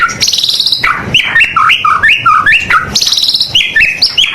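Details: White-rumped shama singing loudly at close range, a varied run of clear whistled notes sliding up and down, with short rapid trilled bursts at the start and near the end.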